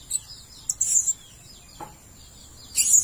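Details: Blue-crowned hanging parrot calling as a bird lure: a few shrill, very high squeaks, with a short burst near the start and a louder piercing note at the end, separated by near-silence.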